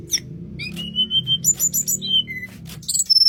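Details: Tledekan gunung singing in a flute-like style, with steady high whistled notes held briefly, interspersed with sharp chirps and quick buzzy bursts; a low background hum is present.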